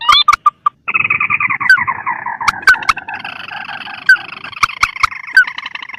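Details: Rail lure recording of mandar and tikusan birds of rice fields and swamps, Indonesia: many overlapping nasal, harmonic squawking calls in a continuous dense chorus, broken by sharp clicking taps throughout.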